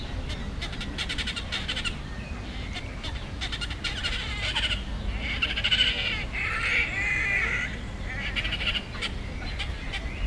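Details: Fighting great crested grebes give repeated fast rattling, clicking bursts mixed with short harsh mid-pitched squawks, several overlapping over a constant low wind roar.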